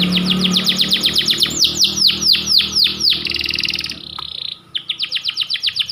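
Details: Panda canary, described as a white canary, singing for canary training. Repeated downward-swept notes run in quick series, then a buzzy trill and a brief pause, and the sweeping notes resume rapidly.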